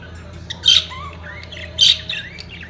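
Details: Budgerigars at mating peak: two loud harsh squawks about a second apart, each followed by thin rising and falling whistled warbles, with a quiet low hum behind.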